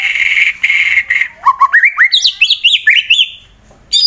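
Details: White-rumped shama from Wonosobo, Central Java, Indonesia, a fighter bird sung to goad rivals: steady buzzy notes, then a fast series of rising whistled notes climbing in pitch, ending in a brief high note.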